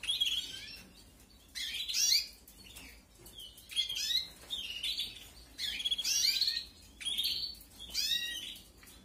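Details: Canary chicks begging while being fed in a 2021 breeding aviary: harsh, high-pitched chattering bursts of about a second, repeated five times with short quiet gaps.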